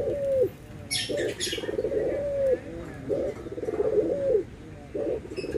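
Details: Barbary doves, white versus brown, in anggungan cooing: low throaty coos alternating short notes with longer rolling trills that end in a gliding tone, with faint high chirps early on.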